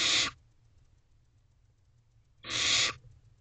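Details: Barn owl owlets in a nest box shortly after 5 am on 16 May 2023; two rough hissing screeches, each a fraction of a second long, separated by a quiet gap of over two seconds.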